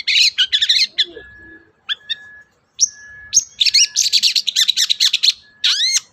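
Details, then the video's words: Long-tailed shrike singing to prompt a silent shrike: chattering buzzy bursts, a few high thin whistles, then a dense jumble of squeaky mimicked notes and a closing pair of falling slurred whistles. "BURUNG CENDET GACOR DOR, MEMANCING CENDET DIEM AUTO NYAUT GACOR"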